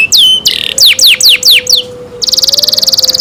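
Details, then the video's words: Canary in care singing a few sharp downward-sweeping whistles, a short pause, then a fast even high trill. "canary Nice sound"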